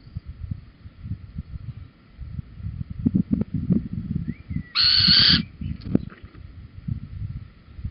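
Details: Male Little owl with a cockchafer at Holten, evening of 4 May 2020; a single loud, grating call of about half a second amid steady low rustling and crackling noise.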